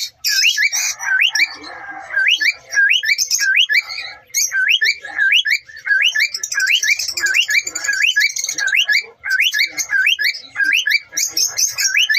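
A cockatiel gives harsh, rising screeches over and over while defending its territory.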